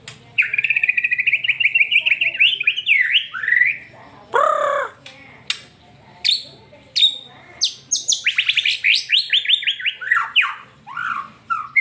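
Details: White-rumped shama song meant to get a pet bird singing: fast trilled phrases, a loud lower downslurred note, then bursts of rapid rising and falling whistled trills.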